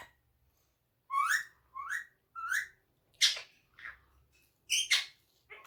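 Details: Pet talking parrot, kept indoors, giving three rising whistled syllables in a row, followed by sharper, breathy chirp-like notes; otherwise quiet room.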